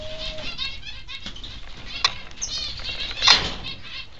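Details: Two Peaceful Doves flapping about constantly inside an aviary shared with finches; soft, noisy wingbeat flutters come in loose bursts, with a sharp crackle near the end, a brief low steady tone at the start and faint chirps behind.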